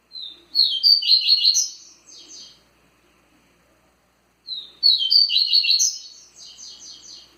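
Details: Kept double-collared seedeater singing two matching Tui Tui phrases about four seconds apart, each a burst of fast, sharp, high chirps that trails off into softer notes.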